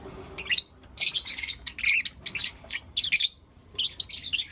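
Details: Pet lovebirds of blue opaline and lutino opaline colouring chirping in the morning, giving sharp, scratchy high chirps in bunched bursts under a second long, separated by brief gaps.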